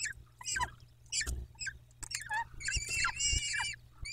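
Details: Peregrine falcons at their nest in Dobra on 14 May 2021: scattered clicks and scratchy noises at first, then a run of harsh, harmonic wailing calls in the second half.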